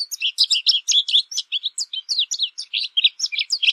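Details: American goldfinch singing a long, loud, continuous run of high, sweet, tumbling notes, rapid twitters and short buzzy phrases with varied pitch, about five notes per second, with no other sounds.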